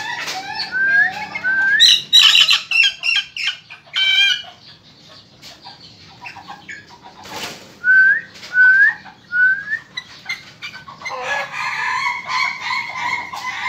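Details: Lively Ayam Ketawa (laughing chicken) chick gives series of rising whistled peeps, bunched in quick runs, then a second set of three upslurred notes, over scratchy background rustling.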